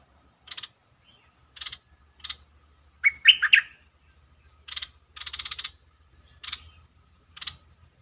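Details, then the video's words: Bulbul lure song meant to excite birds: one rich, warbling phrase mid-way through, surrounded by repeated short harsh chirps roughly every second and a steady low rumble underneath. "เสียงนกดอกแตงEp.147 เปิดให้นกคึก เพลงดีสำนวนน่าฟัง Suara pikat merbah lekir"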